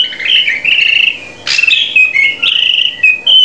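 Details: Drongo song for training captive birds to sing: sustained, slightly wavering whistles, a sharp noisy burst, then clear level whistled notes that step up and down in pitch.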